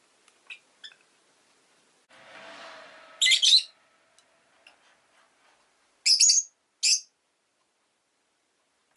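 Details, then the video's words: Pet Rosy-faced lovebird, Agapornis roseicollis, with town noise such as engines and bicycles around; a brief rushing hiss, then loud shrill chirps in short bursts, a pair a few seconds apart, after faint soft notes. "Lovebird Chirping Sounds"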